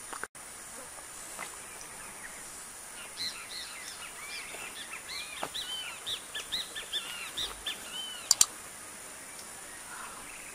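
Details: A female wedge-tailed grass finch sunbathing in 40° heat in Pernambuco, Brazil, gives thin, high chirps loosely repeated for several seconds over a steady hiss of outdoor noise, with two sharp clicks near the end.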